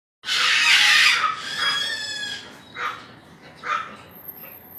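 A Sulphur-crested cockatoo gives one long, harsh, rasping screech that trails off, then two shorter grating squawks about a second apart.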